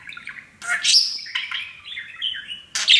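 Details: Young male pet parakeet repeating taught phrases when happy; a scratchy burst followed by a long, wavering warbled phrase and a final harsh note.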